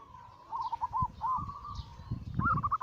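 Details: Zebra dove, a Bangkok local crossbred with cemani katuranggan silver, in an anggungan cooing song used to prompt other doves to sing. Quick bouncing coos in short runs, over low knocks and rumbling background noise.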